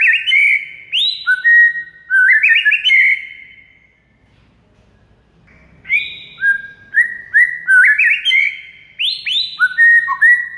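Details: White-rumped shama tutor song (masteran) for rousing a quiet shama: bright, high whistled phrases with rising slurs and rich warbles, a pause of about two seconds, then a second burst of loud repeated upslurred whistles.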